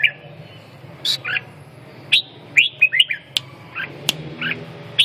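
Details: Red-whiskered bulbul uttering clear looping whistles and brief downslurred notes at irregular intervals, mixed with sharp clicking taps and a low background hum.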